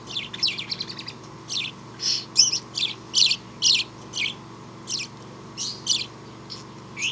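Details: A happy budgerigar gives a run of bright, scratchy chirps and chattering notes in quick, uneven bursts.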